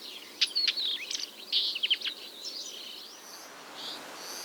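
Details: A nesting northern wheatear sings near a quarry in Pronsky district, Ryazan region, Russia, recorded 10–12 June 2023: a quick, scratchy jumble of high chirps, clicks and short warbles in bursts, fading toward the end over faint hiss.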